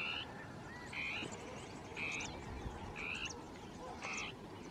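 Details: Territorial song of the Dusky tapaculo, two birds interacting in scrubland; buzzy churring notes repeated roughly once a second, five in a row, fairly soft against a noisy, rustling background.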